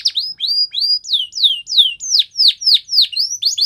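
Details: Canary whistling a steady series of slurred notes, first rising then sharply falling, about three to four per second, clear and high with no other sounds.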